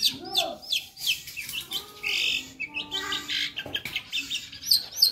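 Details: Long-tailed shrike (Lanius schach) in full tutor song pours out a fast, varied string of high chirps, sharp whistles and scratchy notes, about three a second, with a faint low murmur behind.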